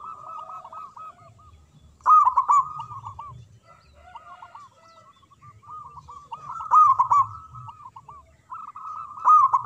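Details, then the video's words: Local zebra dove singing from a perch in captivity, with repeated bubbling phrases of rolled, quavering coos. Loud bursts come about every few seconds, with softer cooing between them. "Perkutut Lokal Gacor Suara Besar Manggung"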